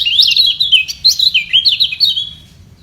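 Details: White-eye in a singing battle to keep its place at the top: loud, rapid, high twittering phrases of swooping and sliding notes, tapering off toward the end.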